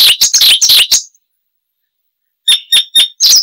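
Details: Icterine warbler, a loud and varied mimic, giving a short burst of harsh, scratchy notes. After a pause of over a second come several sharp, clipped high chirps.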